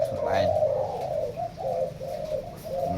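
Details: Many captive zebra doves kept in pairs in a large cage indoors, cooing together: a dense, bubbly, continuous chorus of rolling coos with soft rising and falling notes, with faint human speech in the background.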